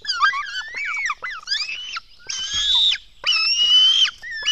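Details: Black stork chicks begging at feeding time in the nest, dawn of 24 June 2016: a rush of short twisting squeaky notes, then two long, loud rasping screams.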